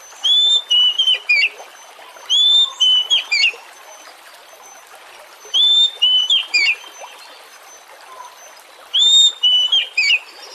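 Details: Oriental magpie-robin singing as a lure to spur other magpie-robins to sing; a clear whistled phrase of several sliding notes with a few short chips, repeated roughly every three seconds, over soft continuous hiss.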